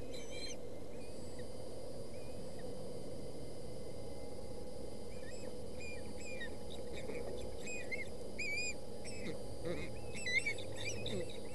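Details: Osprey nest in Boulder County on 20 August, nestlings squabbling over a fish the father brought; series of short upslurred whistled notes building toward the end, with a steady low background hum.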